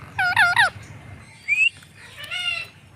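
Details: Green parrot kept as a pet, uttering a loud wavering nasal squawk, then a brief rising whistle and a softer drawn-out harmonic call, over a low background hum.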